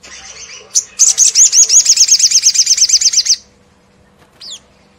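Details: Sogon, the crimson sunbird, sings the fast 'ngleper' style meant to stir rival sunbirds into song. A soft buzz and sharp note lead into a long, high, rapidly repeated trill of uniform chips, ending with a single downslurred whistle.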